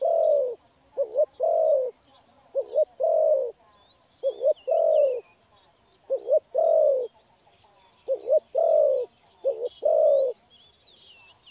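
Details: Spotted dove recorded during trapping, giving low, hollow coos in repeated phrases: a short double note followed by a longer, drawn-out coo, each phrase a few seconds apart. Faint high chirps from other birds sound in the background.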